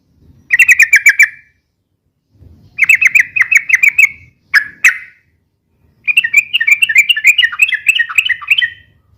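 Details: Yellow-vented bulbul with a busy, rapid, long song for luring and tutoring: four separate phrases of quick, evenly spaced bright notes, the last one the longest and most warbled, each followed by clear silence.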